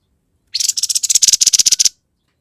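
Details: Grey-headed babbler singing energetically, described as 'gacor konslet': a fast burst of harsh, buzzy notes repeated about ten times in just over a second, growing louder, with no other sounds.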